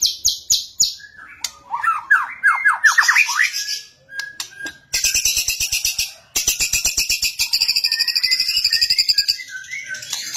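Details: Champion white-rumped shama in energetic fighting song, full of varied 'isian' phrases, used for training birds: rapid high trills, a rising chattering series, then long fast buzzy rattles of repeated notes.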